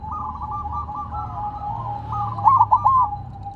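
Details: Silver zebra dove singing although placed on the ground, its loud, bubbly run of three rolling coos rising near the close above a continuous soft trilling chorus of other doves and a low background hum.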